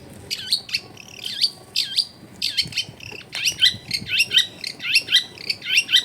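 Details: Long-tailed shrike singing a lively, clear, varied song: bright looping whistles that drop and rise, delivered in quick succession about twice per second, growing denser and more chattering toward the end.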